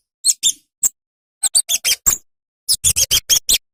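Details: Kemade bird, a small songbird kept for its sweet song: sharp, very high ticking and squeaky notes in three short bursts with brief silent gaps between them, irregularly spaced.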